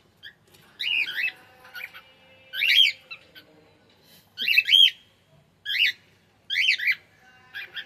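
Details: Cockatiel calling loudly with a series of grating, screechy notes in quick doublets and single bursts, roughly seven in eight seconds, against a quiet background.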